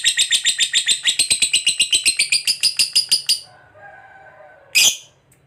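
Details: Lovebird ngekek trill, a long song for tutoring other lovebirds: rapid scratchy pulses for about three seconds, then quiet low humming, and one last loud harsh note.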